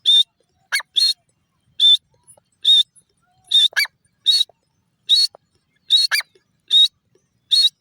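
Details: Grey francolin, locally called teetar, giving loud, sharp, high calls repeated about once a second, some notes doubled in quick pairs, with silent gaps between them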